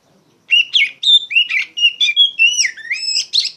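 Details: Oriental magpie-robin, a loud song used as training material for young songbirds: a lively chain of clear whistled notes, some level, some sliding up and down, about a dozen notes in quick succession.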